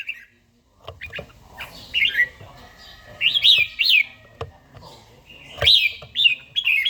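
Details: Kept red-whiskered bulbul, an old bird with a forest-style voice, in morning song practice. It gives short, well-spaced whistled phrases that rise and fall, with occasional knocks and taps in the background.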